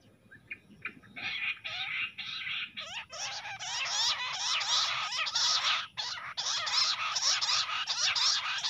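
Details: Jungle bush quail fighting calls recorded near a set net: a few scattered notes, then a dense run of harsh, buzzy, chattering notes repeated rapidly and continuously for about six seconds, with brief pauses between runs.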